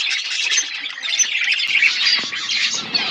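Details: A flock of budgerigars eating food, likely in an aviary: dense, continuous chattering and squawky warbling from many birds at once, busy and unbroken throughout.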